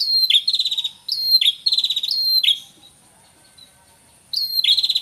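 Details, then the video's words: Red-headed prinia, male and female calling at once, natural sound: three quick high slurred-and-rattling phrases in a row, a quiet stretch of more than a second, then the phrase starts again. "Suara Pikat Prenjak Kepala Merah Jantan Dan Betina Suara Asli Alam"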